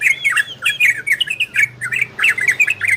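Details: Ropel and Garudo style song of an orange-spotted bulbul, meant to bring listening birds into breeding condition: dense bubbling string of quick, bright whistled slurs and chirps with hardly any gaps, a soft low hum beneath.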